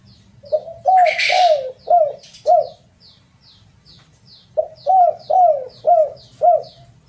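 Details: Spotted dove cooing: soft, mellow rising-then-falling coos repeated in a short phrase, a pause, then the phrase again, with faint high chirps from another bird in the background.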